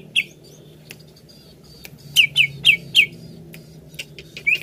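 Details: Greater green leafbird, called cucak ijo, singing to prompt another bird to sing: a lone sharp falling note, a quiet spell with faint clicks, then four loud chirps in quick succession and one last note.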